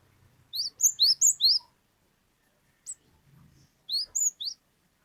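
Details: Cinereous tit, an untrained bird singing freely as a lure for other birds, in long 'wucit wucit' style. Quick bursts of four or five sharp high rising whistles, with pauses and a single note between them.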